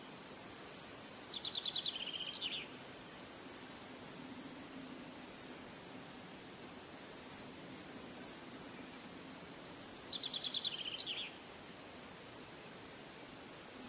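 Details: Common chaffinch singing outdoors: two bursts of quick descending trilled phrases ending in a flourish, about eight seconds apart, with thin high chips from other birds scattered between and a soft background hiss.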